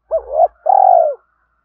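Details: Spotted dove coo used to lure and stimulate other doves: a two-part rising coo followed by a sustained, pulsing, burred note that tails off. A faint low hum sits underneath.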